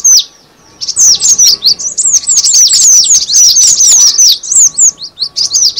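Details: Cinereous tit lure sound. A single sharp chirp and short pause lead into a long, unbroken chatter of high, rapid downward-sweeping notes, tightly packed and lively, with a faint hum below.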